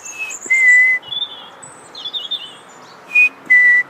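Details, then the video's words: European robin male with high, thin, wavering warbled phrases between two loud, pure whistles, each a short high blip followed by a longer, steady lower tone. Quiet hiss throughout. "English Robin - Erithacus rubecula - Rødhals - Glóbrystingur - Söngfugl"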